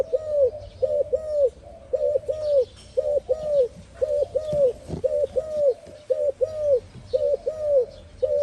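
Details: Spotted dove giving a run of mellow, low coos, each rising and falling, bunched in pairs roughly once a second, over a low rumbling hum and scattered faint bird twitters.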